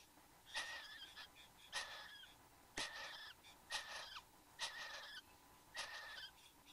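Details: Satin Bowerbird in Australia at its bower with a male and female present, 09:05 am on 15 Nov 2014, giving six harsh, wheezy, buzzing rasps, each about half a second long, spaced a second or so apart, over a quiet background.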